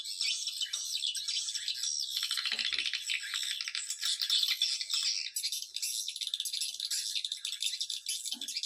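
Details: Swiftlet lure call used to attract swiftlets: a dense, continuous high-pitched chattering twitter of many overlapping buzzy trills, with a few brief low knocks.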